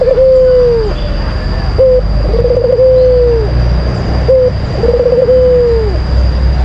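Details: White collared dove lure song in a rhythmic cycle: a short coo, pause, then a trilled phrase merging into a prolonged descending coo, repeated twice over a low rumbling background.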